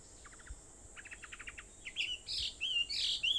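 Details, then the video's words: Early-morning birds on Aobayama, Sendai, 21 July 2014 at 4:30: soft clipped chirps in quick bursts of four to six, then louder buzzy and whistled phrases close by. "Sound of Birds on Aobayama, Sendai, 2014.7.21 (4:30)"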